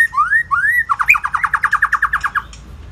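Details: White-rumped shama singing: two rising whistled slurs followed by a rapid series of about fifteen repeated emphatic notes, loud and clear over faint low background hum.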